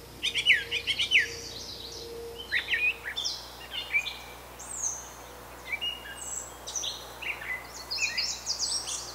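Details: Brown thrasher, Canada: a long stream of varied short phrases, some sharp downslurred whistles, others buzzy chips, jumping between high and very high pitches with brief gaps; low hum underneath.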